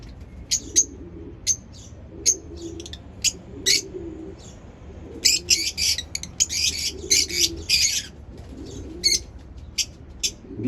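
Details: Lovebird chirping: scattered high, sharp chirps at first build into dense bursts of scratchy chattering, while a soft low cooing sounds repeatedly in the background.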